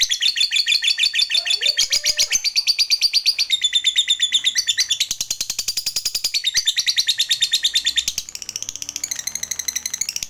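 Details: Fighter lovebird in long ngekek singing, used to prompt other lovebirds to sing quickly: sustained high, shrill chattering trill of fast repeated notes, changing pitch in sections, with a brief soft low sound early on.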